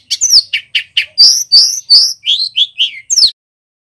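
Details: Vigorous male bar-winged prinia song: a steady series of about a dozen loud, downslurred, buzzy chirps, roughly three per second, then silence. Clear, with no other sounds.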